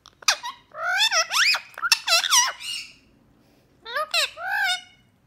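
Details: An 8-year-old male pet rose-ringed (Indian ringneck) parakeet talks in two squeaky, speech-like bursts of rising and falling syllables, high and raspy, with a quiet pause between them, amid people asking for a kiss.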